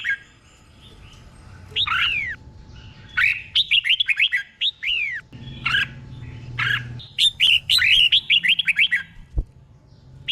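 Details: Red-whiskered bulbul tutor bird singing the doubled 'boen' song used to train caged birds: repeated phrases of liquid, downslurring whistles, growing into fast bubbly runs with short pauses between phrases.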